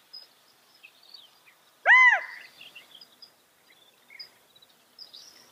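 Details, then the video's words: A single loud, arched California quail note, rising then dropping, rings out once against a quiet background with scattered faint high chirps. "California Quail | کیلیفورنیا بٹیر | Qauil Sounds"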